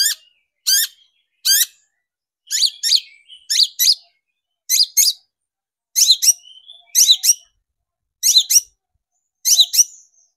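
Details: Long-tailed shrike on a lure track for stirring shrikes into song: rasping, scratchy notes in pairs and short bursts, repeated roughly once a second with clean silent gaps.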